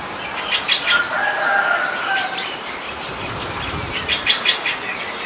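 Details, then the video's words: A streak-eared bulbul in Ubon Ratchathani, Thailand, 29 February 2020, where it is a very common resident: quick runs of sharp, clipped chatter notes at the start and end, with a lower drawn-out whistle in between, against a hissy background. "นกปรอดสวน : Streak-eared Bulbul"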